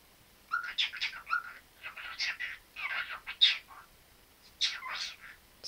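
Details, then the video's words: Pet parrot said to talk a great deal, chattering indoors in a rapid run of harsh, speech-like syllables in bursts with short pauses, some squeaky notes, a person's voice nearby. "Попугай Чика разговаривает многого..."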